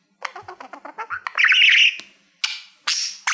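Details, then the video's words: Budgerigar singing toward a reflective plaque: a quick series of soft clicking ticks builds into a bright buzzy warble, followed by three separate harsh scratchy bursts. "Budgie singing to Youtube Playbutton - Cookie sounds"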